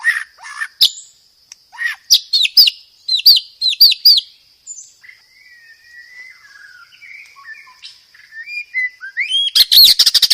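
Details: White-rumped shama master song for training caged birds, varied with many phrases: sharp chipping notes, quick downslurred pairs, a long thin high whistle with soft warbling below, ending in a rapid burst of notes.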